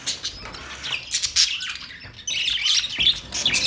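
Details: A flock of budgerigars chattering, with scratchy squawks and bright warbled chirps in uneven bursts, a short quieter gap near the middle, then louder overlapping twitters.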